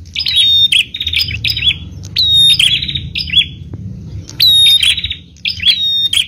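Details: A bar-winged prinia, used as a lure to make other prinias call, sings in loud, high, buzzy chirping bursts, each under a second, in quick runs with short pauses over a low background rumble.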